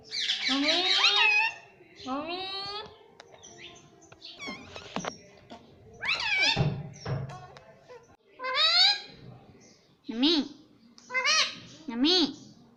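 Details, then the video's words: Talking pet Indian ringneck parakeet, indoors, repeating "Mitthu": a long run of rasping, speech-like syllables with up-and-down pitch bends. Some are loud and drawn out, others short and clipped, with brief pauses. "Mitthu Mitthu Bolne Wala Batuni Tota - Talking Parrot"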